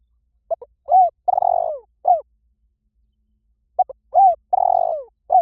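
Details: Spotted dove lure call used as a decoy: two cooing phrases, each with two brief clipped notes, a short bent coo, a long rolling, slightly falling coo, then a final short coo, separated by a few seconds of silence.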